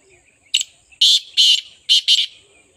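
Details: Partridge calling with a short harsh note followed by four loud grating, rasping bursts in quick pairs, each about a quarter second long, over a quiet background.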